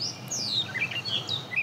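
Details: Gray Catbird, a mockingbird-family bird of thickets, singing from a high open perch: a quick jumble of thin, squeaky whistled notes and falling slurs, each phrase different from the last, over faint outdoor background noise.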